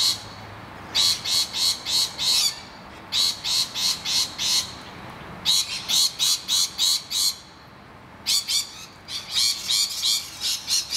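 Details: Screaming rainbow lorikeets defending a hollow from noisy miners: clusters of four to six rasping screeches follow one another, separated by brief silent gaps.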